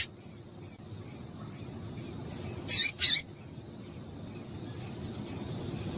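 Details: Female double-collared seedeater call used to excite a male to sing; a quick pair of sharp, high chip notes in the middle, with a faint softer note just before.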